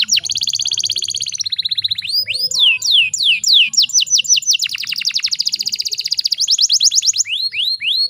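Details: Canary female in breeding condition, a lure meant to excite male singers: a high buzzy opening gives way to loud falling whistled sweeps, then a fast even trill and more sweeping notes.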